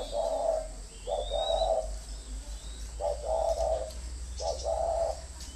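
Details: Decoy spotted dove giving four soft coo phrases, each a quick note leading into a longer hollow one, spaced over a few seconds, faint bird chirps in the background.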